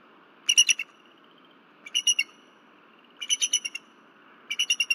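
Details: Female bald eagle on a Berry College nest camera at 10:10 pm, February 15, 2023. She was disturbed by something flying around the nest and calls until her mate arrives. Four bursts of rapid, high, piping chirps about every 1.3 seconds.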